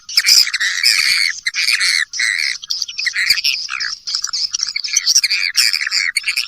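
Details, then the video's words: Swiftlet calling sound: continuous, loud, high twittering chatter with rapid squeaky notes packed closely together, varying slightly in pitch. "Suara panggil sembilan belas detik"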